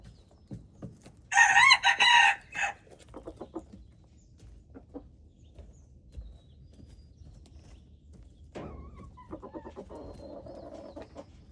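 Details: Red junglefowl on February 13, 2025 gives one loud, harsh crow of about a second. Softer clucks, rustling and scattered low sounds follow, with a faint murmuring stretch near the end.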